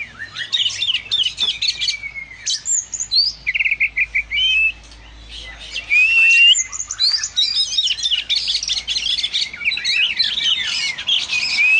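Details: Oriental magpie-robin singing vigorously: a rich, fast run of varied whistles, chirps and trills, with short rising and falling slurred notes and scratchy phrases in quick succession and a brief pause midway.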